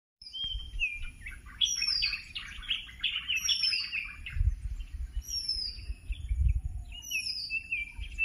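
Red-whiskered bulbul giving a busy stream of bright, chirpy calls, with thin high whistles from other birds overhead and a low rumble of wind.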